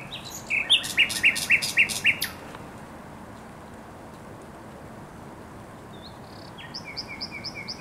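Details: Spring song of a thrush nightingale at the Żerań Canal, 24 April 2022. A loud burst of six rhythmic, chopped notes is followed by several seconds of quiet, then a faint series of short high notes.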